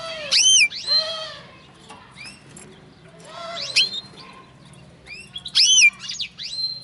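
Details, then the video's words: Linnet x canary hybrid sings loud bursts of bright, sweeping whistles and rapid twittering trills, in three phrases with quieter chatter between. "Linnet x canary φανετο χ καναρα"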